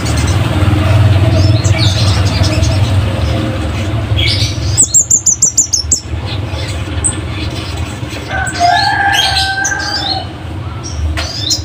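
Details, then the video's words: Scarlet-headed flowerpecker, prized as a tutor for caged birds, delivering a rapid string of about eight high, thin ticks partly masked by a steady low rumble, with scattered chirps and a tonal call from other birds. "Cabean Bunga Api gacor"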